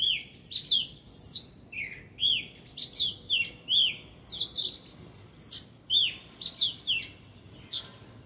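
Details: On a house roof, a bulbul repeats lively whistled chirps, each note arching up then down, delivered in irregular clusters across several seconds.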